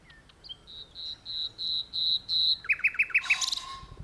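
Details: Common nightingale singing from an open perch in a tree, a powerful song: a run of about eight even, pure whistled notes on one pitch, then a quick series of five lower clipped notes, ending in a sharp buzzy burst.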